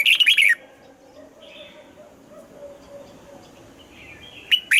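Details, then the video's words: Morning song of a Red-whiskered bulbul with double notes, old wild-bird style. A clear, fluty, tumbling phrase opens, followed by four seconds of faint background chirps and a soft hum, and then a new phrase starts. "Luyện giọng cho chào mào hót sáng, ép chào mào hót âm kép già rừng hay tuyệt!"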